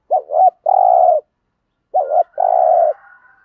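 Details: Spotted dove in thổ-style voice, cooing to stimulate decoy doves to coo back: two clean phrases, each a short wavering double note followed by a long, steady, throaty coo, about a second apart, with a faint higher trailing sound after the second.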